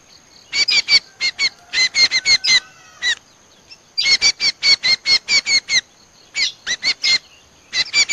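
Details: Common Iora lure call, played back by bird trappers to attract the species: bursts of bright, whistled notes with sharp upper overtones, delivered in rapid clusters of four to six with short pauses between groups.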